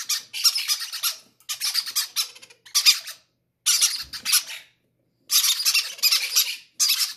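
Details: Hungry baby parrots each wanting to be fed first, indoors; rough, hissing, pulsating begging cries in bursts of about a second, broken by short silences.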